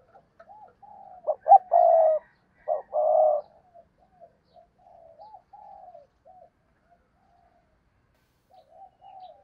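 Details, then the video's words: Decoy spotted dove used to draw in wild doves gives a loud phrase of clipped notes and two drawn-out low coos, then quieter soft murmured cooing trailing off. "cu gáy kích bổi nhanh nổi/ cu gáy mồi cây thúc gù bài bản"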